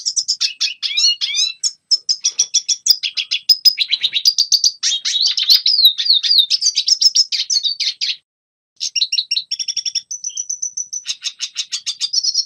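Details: Red siskin song, played for training young birds to sing: a long, fast, varied twittering of high chirps, slurred whistles and dry trills, broken by one short pause near the middle before the rapid notes resume.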